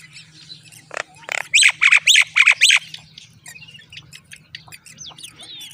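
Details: Baby common mynas fed moringa by their mother give a quick run of five grating, noisy squawks in a loud cluster, preceded and followed by quieter squeaky chirps over a faint steady low hum.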